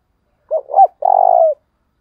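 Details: Caller spotted dove in the 'thúc bổi' style, used to draw wild doves near. Two quick hooting notes run into a long, steady, purring coo, in a clear, quiet recording.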